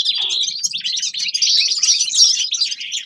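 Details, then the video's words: A brief stretch of winter singing by forest birds: quick, high chattering notes and twitters running together without pause. "Зимнее пение лесных птиц Winter singing of forest birds شتاء غناء طيور الغابة"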